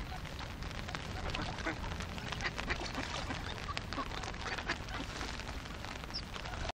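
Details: A flock of some 50 hungry ducks gives an unbroken mass of rapid, overlapping nasal quacks, steady in loudness throughout, backed by continuous low rumble before an abrupt cut-off.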